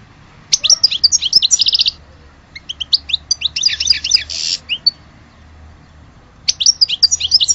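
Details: European goldfinch singing: bursts of rapid, high, tinkling twitter notes lasting about a second and a half each, separated by short pauses, with a faint low hum underneath.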